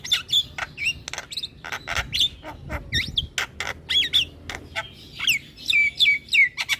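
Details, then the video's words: Javan myna, known locally as jalak kebo, singing gacor: dense sharp clicks interleaved with short whistled notes, ending in descending slurred whistles repeated several times. "Burung Jalak Kebo Gacor Full Manggut Manggut Bikin Jalak Malas Bunyi Jadi Gacor"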